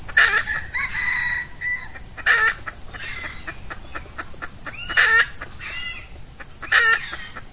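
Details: Red junglefowl, an F1 hen decoy luring an old wild male, early morning in hot Ramadan weather when males are in breeding mood; four short loud clucking bursts about every two and a half seconds, softer chatter between, steady insect buzz behind.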